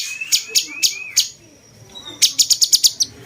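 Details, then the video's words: Cucak cungkok bulbul song for training other songbirds: a few high chips over thin rising whistles, then a quick series of six bright, piercing chirps after a brief pause. "cungkok rasa jenggot"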